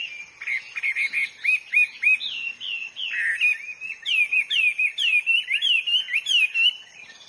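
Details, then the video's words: Hwamei singing in the wild: a loud, varied run of rich whistled phrases, repeated rising and falling slurred notes, sharp upswept whistles and quick trills, with a steady faint high hiss in the background. "burung HWAMEY GACOR DI ALAM LIAR"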